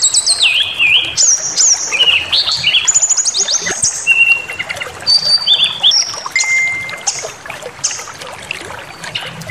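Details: Provocation song of a brown-chested jungle flycatcher, used to make other birds angry and sing out their whole repertoire. Bright whistles jump between pitches, with swooping notes, short trills and long level tones, each phrase different.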